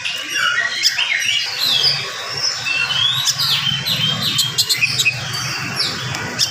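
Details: Morning song of an oriental magpie-robin, delivered rapidly to stir up rival magpie-robins: sliding whistles and sharp rising and falling notes, interspersed with clicks, over a low hum of people talking.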